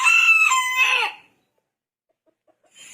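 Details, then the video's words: Morning crow from a rooster that wakes its keeper: a single loud, strained crow lasting about a second, dropping at the end, then silence and a brief sharp sound at the close. "the sound of a rooster, which always wakes me up"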